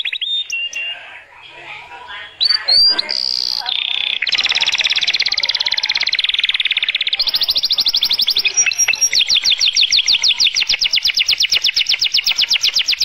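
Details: Songbird singing a strong song meant to prepare females and stimulate mating: varied whistled phrases with sweeping notes, building into a long, loud, rapid trill of fast repeated notes.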